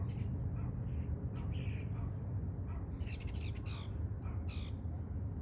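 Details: Morning common starlings observed on September 26, giving scattered short chattering notes, then loud harsh rasping squawks in quick bursts after three seconds, all against a constant deep background rumble.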